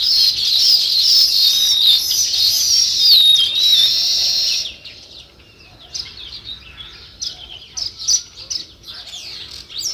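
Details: Sparrow chirping in natural surroundings: a loud, dense burst of high twittering chirps for several seconds, then quieter scattered chirps at a distance.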